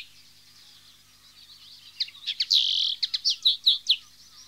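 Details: A common linnet, a species that chatters nonstop within its group and even in flight, breaks into quick, high twittering: a burst of short chirps and a brief buzzy trill over two seconds, with a steady faint hiss behind.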